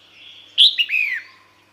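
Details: Female red-whiskered bulbul giving a call to draw males to her: a quick burst of three clear whistled notes, the first highest and sharpest, the last longer and sliding downward.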